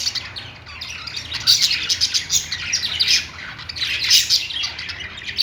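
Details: Pet budgerigars singing: dense, scratchy chirps and squawks layered into continuous chatter, swelling louder around the middle and end with a faint low hum underneath.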